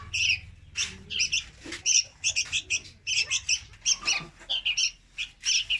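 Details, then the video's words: Juvenile red-whiskered bulbul, used to lure birds for trapping: rapid scratchy chirps in irregular clusters, some notes sharper and whistled, keeping up without a break. "Tiếng Chim Chào Mào Con Hót Rất Chuẩn Để Bẫy"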